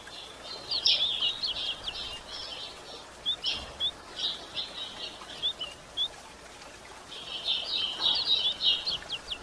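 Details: Female White-throated Seedeater calling to arouse males: a burst of fast twittering, then scattered single high upslurred chirps, then another busy run of sharp, ticking notes.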